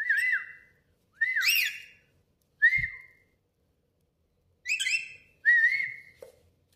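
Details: Lorikeet kept as a pet, whistling indoors in a washroom; five loud whistled notes with flat then dipping or slurred pitch, some harsher and rougher, separated by short silences, plus a brief low thump.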